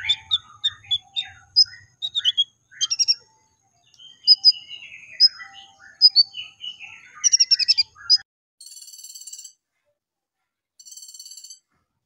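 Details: Brown-throated sunbird song of the tembakan style, used as a lure to set other sunbirds singing: varied sharp high chirps and short descending slurs, then two bursts of fine, buzzy high-pitched trilling near the end.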